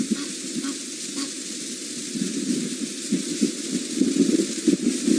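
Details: Crackling, sizzling hiss over a low hum, broken by a few brief muffled bursts that sound like a voice, with no animal call.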